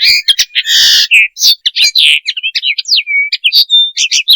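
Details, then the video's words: Common linnet mating call, used for bird training and hunting: a fast, varied twitter of short chirps, nasal buzzy bursts and brief clear whistles, delivered almost without pause. "صوت طائر التفاحي - النينو - صوت رائع للتزاوج - التعليم والصيد - Best call of Commun linnet linaria"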